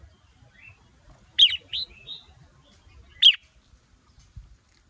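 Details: Red-whiskered bulbul, female arousing a male into fiery singing: a short phrase of three whistled notes, the first sharply falling, followed after a pause by a single strong descending note.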